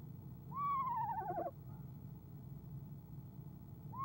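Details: Eastern screech owl, a female calling in late January from her nest box in the evening before departing; one whinnying trill, rising then descending with a shaky tremolo, followed by low hum and the start of another call.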